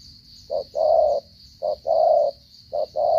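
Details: Spotted dove repeating a two-part coo, a short hoot then a sustained mellow coo, three times at steady one-second spacing, with a constant high hum in the background.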